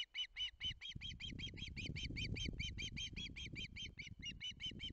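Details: Hungry osprey chick begging at its nest in Barlinek on 19 July 2023, filmed by a live nest camera: a fast, steady run of high, sharp whistled notes, about two per second, over low rumbling wind and nest noise.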